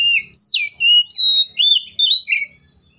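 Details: Oriental magpie-robin giving a loud, varied fighting song meant to provoke other magpie-robins into singing: a run of clear whistled phrases, some rising, some sliding down, with buzzy notes mixed in, ending abruptly.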